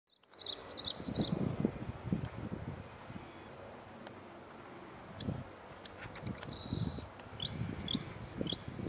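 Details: Bluethroat song recorded on 9 April 2015, in brief bursts of high, thin, ringing and clicking notes, scattered through the passage over steady low wind rumble.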